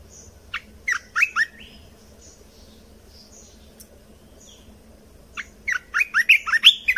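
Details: Red-whiskered bulbul song used to teach young birds and excite them: two bursts of quick, chirpy warbled notes separated by several seconds of near silence with faint high tones, the second burst longer and louder.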